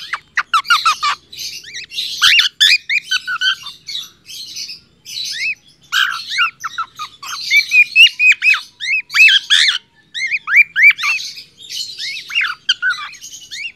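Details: A male cockatiel sings a busy string of whistled, upslurred notes mixed with harsh squawky chatter, a song meant to train other cockatiels to sing.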